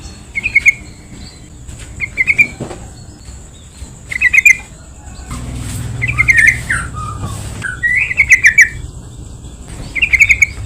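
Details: Yellow-vented bulbul lure for provoking other bulbuls to sing: repeated short bubbling phrases of rapid notes every second or two, some longer and more varied, with low rumble midway and a constant faint hum.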